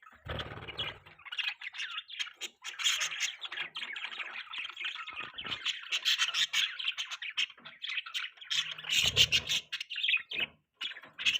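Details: Budgerigar chirping and singing in a dense, continuous stream of bright, rapid warbled chirps and squeaky twitters, with short buzzy notes and a few low thumps.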